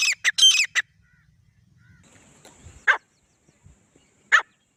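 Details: Calls from a male and female grey francolin pair: a quick cluster of four harsh notes, then a quiet gap broken by two single loud squawks spaced over a second apart.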